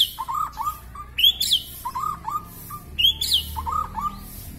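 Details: Very long-tailed white-rumped shama of the Kuala Lumpur line singing profusely with filler phrases: clear whistled notes, low rising slurs alternating with sharp high down-sweeping whistles, in quick varied bursts.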